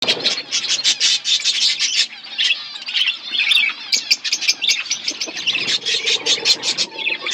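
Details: A flock of pet budgerigars chirping while eating food: dense, overlapping high chatter and warbled twitters, continuous with brief lulls, many birds calling at once.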